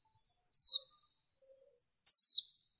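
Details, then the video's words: Female warbling white-eye, noise-reduced lure recording meant to stir up males: two sharp, very high descending notes about one and a half seconds apart, with faint twittering between them. "Tiếng Khuyên Mái Mới Nhất Kích Trống"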